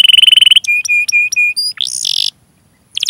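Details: Canary song for prompting other canaries to sing: a fast rattling trill, several steady whistled notes, then a buzzy burst, a pause, and a final short trill.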